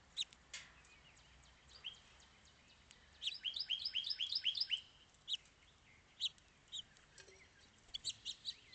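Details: House finch: a quick series of about eight high, sharply slurred notes in a burst of roughly two seconds, with scattered single chirps before and after over faint background hiss.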